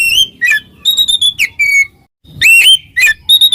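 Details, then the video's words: Oriental magpie-robin in ngeplong song to summon a rival: loud, pure whistles that rise, fall and sweep down, delivered in short phrases with one clear gap. "suara burung Kacer NGEPLONG memanggil lawan, lawan EMOSI seketika"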